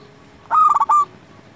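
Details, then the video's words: One rapid, stuttering coo phrase from a singing local zebra dove, kept to raise the mood of quiet or stressed doves: bright broken notes then a sustained final tone, over faint background noise. "Perkutut lokal gacor SEKALI PUTAR suara ini 100% Bikin lawan gacor nyaut"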